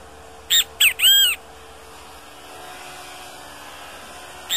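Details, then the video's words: A great kiskadee in the wild gives a loud, harsh three-part call of two short notes and a longer drawn-out third, a fourth note beginning at the end, over a quiet background. Great kiskadee. "O contato do bem-te-vi"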